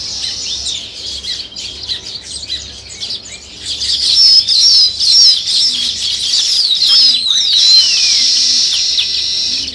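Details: Weaver birds chirping as they build a nest, giving a busy flock chatter of sharp high chirps and squeaks, soft at first then louder and denser, with a few descending whistled notes.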